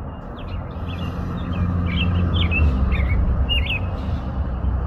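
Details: American robin singing a run of short warbled phrases, each quick and slurred with rising and falling turns, following each other closely, over a steady low rumble of background noise.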